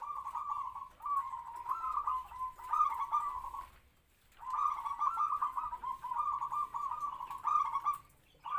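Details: Captive-bred local zebra dove about three to four years old, a trapping decoy with a medium-pitched kwor kwor voice, singing rolling, trilled coo phrases in two long bursts separated by a brief pause.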